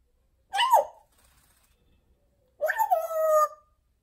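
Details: Pet female parrot, adopted a couple of months ago, talking: two short voice-like utterances, a brief half-second burst, a pause, then a longer one-second phrase ending in a steady tonal note; quiet room otherwise.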